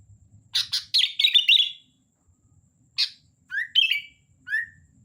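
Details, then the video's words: Sooty-headed bulbul in lively song: a quick cluster of sharp chirps sliding into a short warble, a pause, then several separate notes including rising slurred whistles. "Suara Kutilang Gacor Dorr"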